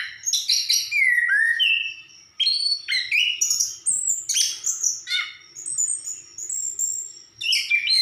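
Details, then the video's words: Orange-headed thrush singing a rich, continuous medley of sweet whistles, sharp high notes and chattering phrases, shifting pitch rapidly, with barely a pause across the whole stretch. "Burung Anis kembang gacor"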